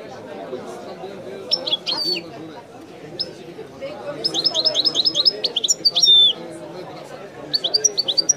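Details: Singing European goldfinch, Widani style: liquid high twitters building into a rapid string of repeated bright notes and a sustained whistled note, phrases returning near the end, with a soft low hum behind.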